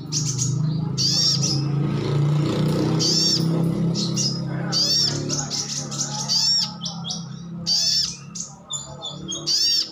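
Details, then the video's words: Crimson sunbird (sogok ontong) uttering wild-style 'ngalas' calls to coax responses from other birds; dense runs of shrill high chirps and tweets over a steady low rumbling hum in the first half. "Suara panggilan sogon/sogok otong/sriganti pasti nyaut."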